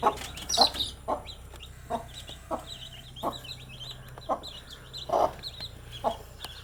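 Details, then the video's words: Newly hatched baby chickens active during the day; a steady run of high, downslurred peeps continues behind louder, rhythmic broadband knocks and rustles roughly every half second. "Cute Baby Chicks with chirping sound"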